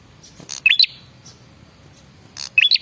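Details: Male red-headed prinia calling as a lure to prompt replies: two loud phrases, each a harsh buzzy burst followed by a short stepped, rising whistle, about two seconds apart.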